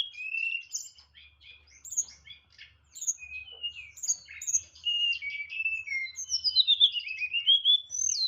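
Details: White-rumped shama from a Boyolali songbird community singing nyeklek style: chattering mixed phrases of whistles and chips building into fast rolling slurred notes, faint low hum in background.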